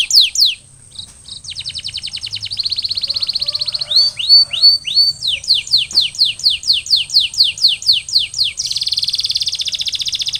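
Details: Canary song meant for post-molting recovery: rapid descending sweeps, buzzy trills and repeated downward-curving whistles in quick phrases, with a steady faint high tone throughout.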